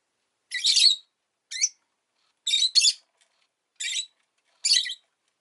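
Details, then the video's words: Pet rosy-faced lovebird giving six harsh, buzzy, high chirps over about five seconds, some single and one doubled, in short bursts with clean silence between them. "Lovebird Chirping Sounds"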